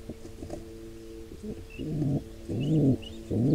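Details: At a wild pigeon nest with a nestling under attack by an intruding pair, soft scuffling leads into three loud, low, hoarse coos with a rising-then-falling shape, while faint thin chirps sound higher up.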